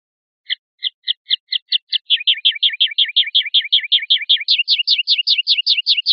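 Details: Linnet song that opens with spaced, soft double chirps and speeds into a rapid, even twitter of paired notes, then steps up to a higher, sharper repeated phrase. No other sounds are present.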